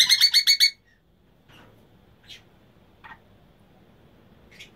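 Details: An Emma's conure from a breeding pair gives a quick burst of about six harsh, rasping screeches in under a second, followed by a few faint, brief chirps over quiet background noise.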